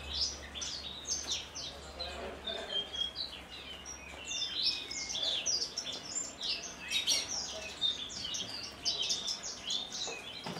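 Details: Captive Javan bush lark native to Kulon Progo, which hovers before landing on its perch stone and singing in the "Jambul" style while fluttering its wings. A varied run of quick chirps, whistles and short trills repeats without pause, with a faint low hum.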